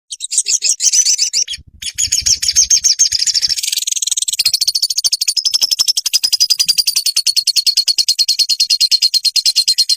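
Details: Olive-backed sunbird, known locally as sogon, recorded as a master track used to train caged birds to sing. It gives a very high, thin, rapid trill of repeated notes that runs continuously, with a brief low thump near the start.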